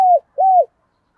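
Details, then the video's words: Decoy spotted dove used as a lure to provoke wild doves, giving two low, soft coos, the first falling away and the second longer and arched, with nothing else audible. "Chim Cu Mồi, tiếng cu gáy kích bổi hiệu quả mỗi ngày"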